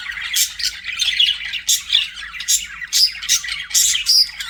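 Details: Budgerigars kept as pets give bursts of scratchy warbling, punctuated about once a second by sharper, louder squawks and thin whistled notes.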